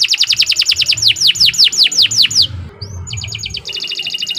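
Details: Canary song, a long vigorous song used for tutoring other birds: fast runs of bright falling notes, then a brief pause and a higher, rapid metallic trill. Faint low background hum throughout.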